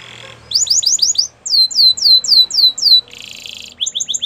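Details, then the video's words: Morning song of a Belgian canary, made of series of bright down-slurred whistles repeated about four per second, a brief harsh buzzy passage, then quick falling notes again. "Belgian canary singing every morning"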